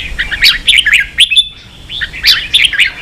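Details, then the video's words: Red-whiskered bulbul, training song in the 'ché' style for young birds; bubbly, fast-paced chirping whistles in two energetic bursts with a short quiet break between them. "luyện chào mào ché.kích chào nào hót ché căng lửa.kich chao mao boi hot เสียงฝึกลูกนก | นกปรอดหัวโขน"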